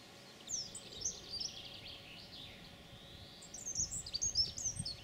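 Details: European pied flycatcher recorded on 9 June 2019, giving two short high song phrases of quick sweeping notes about three seconds apart, with a quiet gap between them and steady low background hum.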